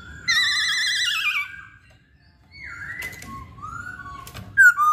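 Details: Masked laughingthrush singing: a long quavering, wavering whistle, a pause, then rising and falling slurred notes with a few clicks and a final sharp whistled note.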